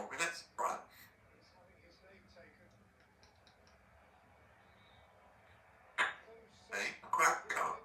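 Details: Three-year-old female Congo African grey parrot, a pet living in a country home and described as talkative, indoors; short speech-like bursts at the start and end, separated by several seconds of near silence.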